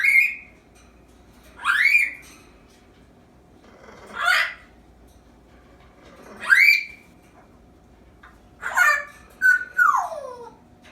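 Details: An 8-month-old female pet African grey parrot practising sounds, including whining copied from the household dog and a squeaky toy sound: whistled, squawky rising sweeps and a falling whistle about every two seconds in a quiet room.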